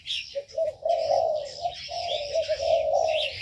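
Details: Aviary birds produce a nearly continuous low cooing drone, slightly rising and falling, overlaid by soft high-pitched twittering from other birds.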